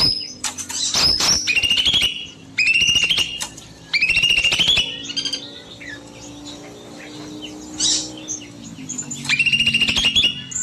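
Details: Evening song of a small bulbul kept in an aviary: loud, rapid, rattling phrases with a bright sustained high note, repeated in four bursts about two to three seconds apart, with quieter chirps between.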